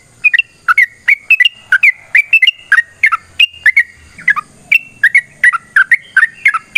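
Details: Fighting song (ropel tarung) from a yellow-vented bulbul, meant as a lure to set other bulbuls singing: a steady stream of liquid, warbling, bouncing notes over seven seconds, with a faint low rumble midway.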